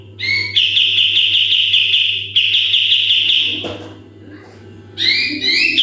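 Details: Training recording of a sooty-headed bulbul in full 'tembakan' song: a couple of rising intro notes, two fast high trills back to back, a quiet stretch, then a burst of stepped whistles; faint low hum throughout.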